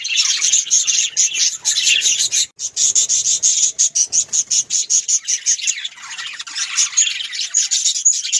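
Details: Budgerigars, referred to as Australian parrots, chatter loudly in fast rhythmic bursts of high chirps, with overlapping warbled notes continuing throughout.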